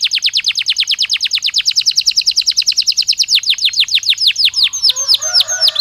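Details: Stimulus song from a Belgian canary, used to warm birds up for singing: a long rapid trill of falling whistles that slowly decelerates into spaced downsweeps, with quieter warbling appearing near the end.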